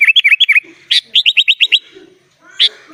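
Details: Sooty-headed bulbul in gacor full isian style, the song laced with other birds' phrases, meant as master song: rapid bouncing whistled notes, then a quick string of high rising chirps and a pause.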